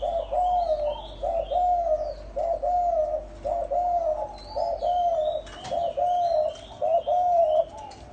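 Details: Spotted doves, male and female, in a recording meant to excite wild doves: low hooting coos repeated almost without pause, about one per second, over steady background hiss and higher twittering from other birds.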